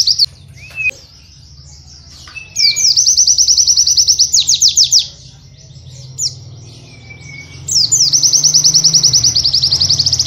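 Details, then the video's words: White-eye song used to tutor cage birds, in the dense canary-like 'nembak kenari' style: bursts of rapid high buzzy trills lasting a few seconds, separated by pauses and thin whistled notes, over a low steady hum. "Burung pleci bahan terbaru nembak kenari rapat mudah masuk untuk pleci bahan"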